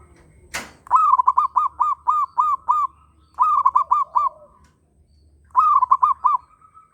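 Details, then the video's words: Local zebra dove in strong breeding condition, other birds joining in: a sharp click, then a long run of about eight quick rolling coos near one pitch, followed by two shorter bursts of four rhythmic notes after pauses. "Perkutut Lokal Birahi Kenceng ‼ Burung Lain Ikutan Bunyi"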